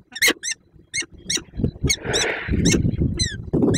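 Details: Peregrine falcon, recorded 5 April 2022 at ENGIE EC Słupsk, Poland, after the male left prey as a gift before a meeting, gives short, sharp, ringing chip notes, roughly three a second, over wind rumble and handling noise.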